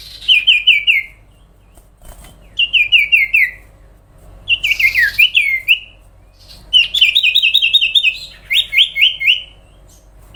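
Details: Sooty-headed bulbul (cipow) singing in long lively bouts: repeated strings of four to eight quick descending chirps separated by short pauses, with occasional harsh rasping notes.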